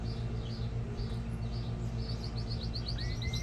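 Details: A male Belgian canary sings high chirped notes about twice a second, then a fast rolling trill with a rising whistle, over a low hum. This song is meant to stimulate females for mating.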